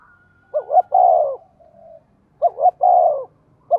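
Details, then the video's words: Quick-paced cooing from a decoy spotted dove used to lure wild birds: two full phrases, short rising pair then a long falling coo, roughly every two seconds, the next phrase just beginning at the end. "Chim Cu Mồi thúc tốc độ có kèm nghe cực hay, bổi nghe phát gáy luân"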